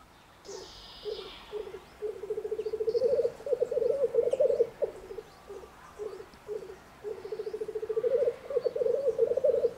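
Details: Male black grouse lekking in Germany's Bavarian Forest: short bubbling bursts leading into two long rolling trills, each rising in volume over about three seconds, with a faint higher call near the start.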